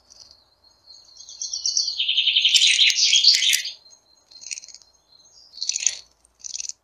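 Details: Flycatcher calling: a long, dense, high chattering trill that swells and holds for about two seconds, then short scratchy chirp bursts at irregular intervals, over a faint steady high-pitched whine.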